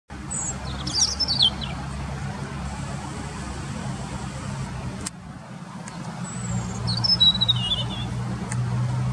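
A European robin gives two short, thin, high warbling phrases of sliding and tumbling notes, several seconds apart, over a steady low hum of traffic.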